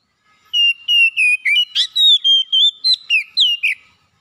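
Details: Home-kept Oriental magpie-robin in steady gacor song: about a dozen loud, clear whistled notes about a third of a second apart, mostly level with occasional sharp upswept notes, in a quiet setting.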